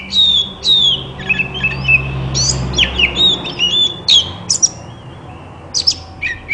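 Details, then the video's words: White-rumped shama song for stimulating other shamas to sing: rich whistled downslurs and chattering notes in quick bursts, pausing midway before sharp high phrases return, low hum beneath. "Burung kacer terapi dari tidak bunyi langsung saut dengan suara ini dijamin gacor"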